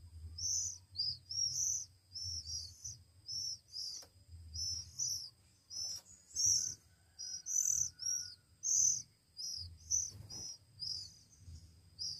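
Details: One-week-old Oriental magpie-robin chicks being hand-fed, giving high, thin chirps in quick bursts, about one a second, some doubled, with a faint low hum underneath.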